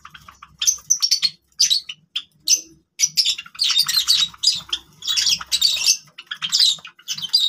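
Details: Several captive Java sparrows chattering busily, with dense bursts of high ringing, bell-like chips and clicks in quick succession, with only brief pauses.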